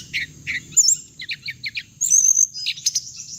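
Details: Hồng hạnh bird recording for luring birds into traps: paired chirps, a whistled flourish, a run of five quick even notes, then a long high whistled slur and buzzy chatter.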